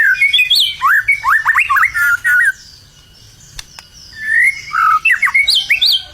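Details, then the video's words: White-rumped shama from Indonesia, readied for singing contests, pours out rapid jumbled whistles and zigzagging notes in dense bursts, pausing about a second before another run of quick, varied phrases. "murai batu gacor siap untuk di lombakan"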